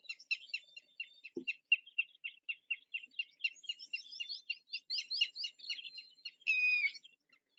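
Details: Red-wattled lapwing (Vanellus indicus) call, likened to "did you do it? did you do it?": rapid sharp high repeated notes, about four per second, building into a shrill run ending in a harsh burst; brief low thump early.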